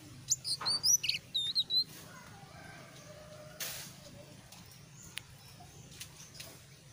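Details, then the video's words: Selendang biru songbird beginning to sing in full voice: a quick burst of loud, sharp, twisting high whistles and chirps in the first two seconds, then fainter calls over steady low background hum. "burung selendang biru mulai buka paru gacor"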